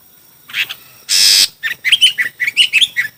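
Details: Chinese hwamei in a song contest: a few chirps, a loud burst of broadband noise, then a fast string of sharp, bright chirping notes.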